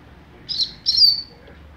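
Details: Young double-collared seedeater, a captive-bred bird, singing in mateiro style: two short buzzy high phrases, the second longer and sliding downward, over a quiet background.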